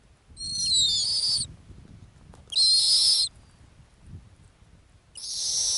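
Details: Nesting female snowy owl in the Arctic gives three harsh, hissing, high screeches, each about a second long, over a low background rumble.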